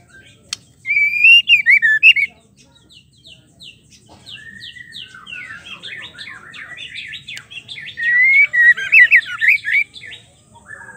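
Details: Female white-rumped shama voice played to provoke male shamas into singing: a loud looping whistled phrase with sharp pulses near the start, then a long series of quick chattering notes and a second bright warbled burst near nine seconds.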